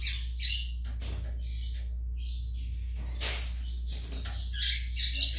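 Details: Young Yellow-bellied Seedeater (coleiro baiano) giving separate bursts of sharp, high chirps and short trills, with quiet gaps between them and a low hum behind.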